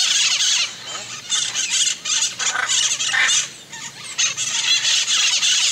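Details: Hyacinth macaw (Anodorhynchus hyacinthinus), call.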